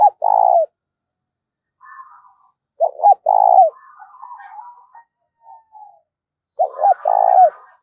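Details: Decoy spotted dove cooing readily to provoke wild doves, giving loud low coos of two quick notes and a long held note, repeated about every three seconds, with faint higher chattering calls in the gaps.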